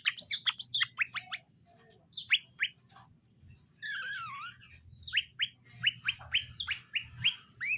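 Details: Caged male and female greater green leafbirds during pairing; sharp downward-sweeping chip notes repeated in quick series, a wavering warbled phrase in the middle, low hum behind.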